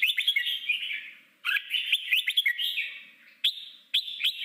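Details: Forest-voice song of a red-whiskered bulbul, used for training wild-caught bulbuls to sing in competitions: a rush of warbled, whistled notes, a pause, then another lively burst and two short sharp upslurred calls.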